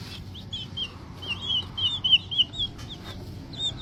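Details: Peeping of a small green junglefowl chick: high, thin chirps in quick bursts, some notes slurring downward, clustered in the middle and trailing off, with faint clicks and low steady hum behind.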